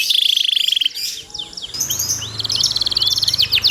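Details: Canary singing a 'cuit cuit ceer' style song meant for training other canaries: a quick high trill, a brief pause with faint low hum, then fast rolling chirped notes and rising sweeps.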